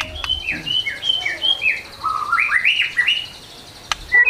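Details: White-rumped shama, agitated, singing a run of clear whistled notes that fall and rise, each repeated in short descending steps, followed by a quiet pause and a click.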